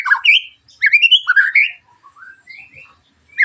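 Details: Murai batu, the white-rumped shama, delivering a harsh 'tembakan' song used to lure other shamas to sing; clear whistled notes slide upward in a rising series, then softer, trailing phrases fade before a final sharp note.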